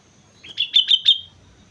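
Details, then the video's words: Sooty-headed bulbul singing gacor-style on Mount Slamet: a quick run of four bright, clipped whistled notes, evenly spaced and slightly rising in strength, over a faint low background hum. "suara burung kutilang gacor gunung slamet"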